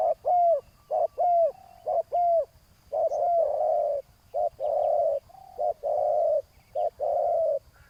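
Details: Spotted dove in a ground decoy session against a rival: a long run of short and long coos, the early ones with falling whistled tails and the later ones flatter, with no pause between phrases.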